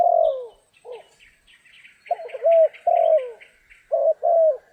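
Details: Spotted dove giving repeated low, falling coos in pairs, short then long, while trapping on a stormy rainy day; a fast series of faint higher chirps from another bird runs behind.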